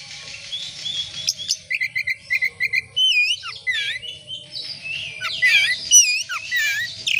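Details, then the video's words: Oriental magpie-robin (kacer) singing as a lure to get other birds singing: a steady string of repeated short chirps, then a jumble of looping whistles and sharp slurs in swift, varied phrases. "Kacer gacor buka ekor pancingan kacer gacor langsung on"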